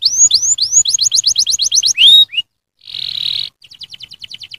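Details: Canary singing, played to stimulate other canaries to sing: rising whistled notes, then a rapid run of repeated chips, a loud downslurred whistle, a brief harsh buzz and a quick closing trill.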